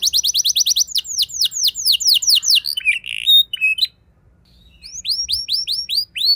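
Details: Canary rolling song played as a lure to stir other canaries into singing: fast trilled notes, series of descending swept whistles, a brief harsher squawky phrase, a short pause, then renewed sweeping notes.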